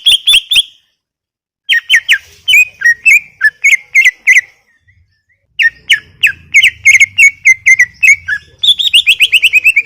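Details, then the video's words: Greater green leafbird (cucak ijo) in full gacor song: clusters of bright whistled chirps and slurred notes in fast runs with short pauses, ending in a rapid trill-like series, faint low hum beneath. "Full Gacor 40 menit CUCAK IJO"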